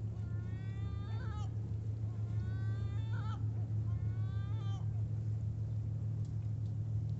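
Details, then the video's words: Gulls calling at Sorrento, Italy: three harsh, drawn-out calls with falling ends at intervals of about one and a half seconds, over a steady low engine-like hum. "Gabbiano Garrito Stridio Verso Canto Gabbiani a Sorrento"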